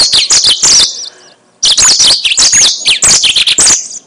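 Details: Yellow-fronted canary song used as a lure for trapping birds: bursts of high, rapid twittering and buzzy trills, a brief pause near the middle, then a longer run of sweet warbled phrases with sliding whistled notes.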